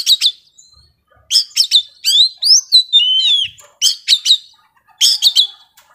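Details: Intense singing from a young forest Oriental magpie-robin: clusters of sharp chattering notes alternate with clear, swooping whistled phrases, delivered in lively bursts.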